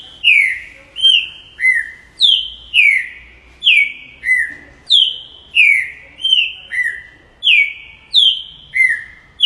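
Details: Green-winged saltator singing clear whistled notes, each sliding downward from high to lower pitch, given in evenly paced pairs and phrases about every half second, with a quiet background.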